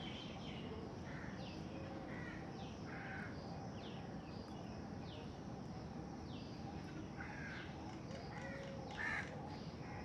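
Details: A rose-ringed (ring-necked) parakeet eating food gives harsh, rasping squawks roughly once a second, some clipped and some drawn out, over a steady low rumble of background noise.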